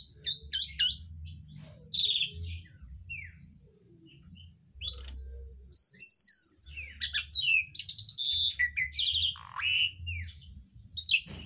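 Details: Mimicking Asian pied starling, its fill said to include greater green leafbird, oriental magpie-robin and bulbul calls, delivers scattered high chirps, sharp clicks and a pure steady whistle mid-phrase over a soft low background rumble.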